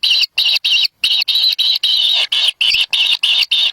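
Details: Wild kingfisher chicks at the nest, fighting over a black lizard their parent brings. Harsh, buzzy, high rasping bursts come in a steady series, about three a second, with short silent gaps between them.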